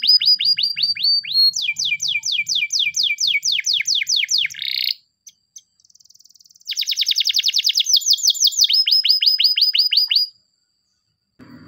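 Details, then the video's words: A Spanish Timbrado canary sings a morning training song: bright, metallic rolling trills, each run of rapid repeated notes lasting one to three seconds, broken by short pauses. "the best canary training song in the morning! make your canary sing |spanish timbrado"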